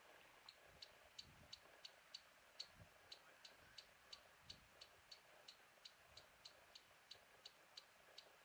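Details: Bearded reedling north of Norrebrohamn gives a long, steady series of short, metallic pinging calls, about three per second, over faint low wind rumble.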